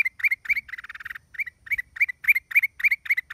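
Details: Black-crested bulbul recorded in the wild at Chaiya on 29 December 2023: quick series of bright chirpy, slightly slurred notes repeated several times a second, with a brief rapid chatter in the middle.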